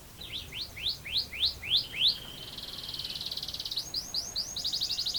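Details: Canary song opening with a run of about eight sharp rising whistled notes, followed by a fast continuous roll and short repeated high trills; quiet background.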